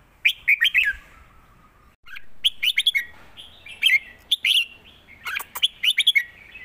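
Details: Two or more caged red-whiskered bulbuls in a Thai song duel, southern master style: busy bursts of bright chirps and downslurred whistles, a short gap around two seconds, then continuous overlapping phrases.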